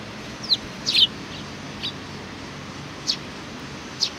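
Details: A sparrow greeting recorded 27 July 2020 opens with a descending chirp and a louder burst of rapid chirps, then fainter single chirps about a second apart, over steady low background noise.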